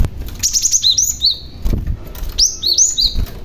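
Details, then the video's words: Young Cinereous tit calling actively, its sound used as a lure to draw other tits to answer; sharp high chirps and slurred downward notes come in two quick bursts separated by a pause, with faint low background rumble. "BURUNG GLATIK PAUD GACOR , Si Pemancing Bunyi Glatik Lain Yang Handal"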